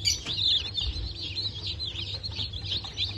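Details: Just-hatched Bantam Cochin and Sussex chicks, 3 November 2024 hatch, call in a busy chorus of high, quick, downslurred peeps, a loud burst at the start, over a steady low rumble.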